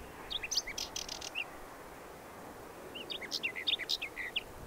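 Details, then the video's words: Whinchat song in two short phrases of crackly chirps and high squeaky whistles, separated by a pause of about a second and a half, over soft background noise. "Pokląskwa śpiew"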